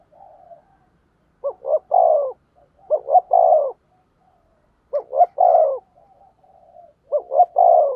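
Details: Decoy spotted dove calling in a cooing duel to attract wild doves. Four mellow phrases of two quick notes and a drawn-out descending coo, spaced irregularly across the recording, in an otherwise quiet setting.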